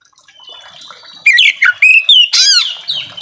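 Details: Oriental magpie-robin singing as a lure for reluctant birds: a faint whistled note, then loud sharp slurred whistles and a harsh rapid burst near the end.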